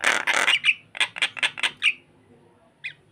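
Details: Starling luring another bird with loud, noisy screeches, a series of rasping notes with brief whistled tones, then quiet before one last short call.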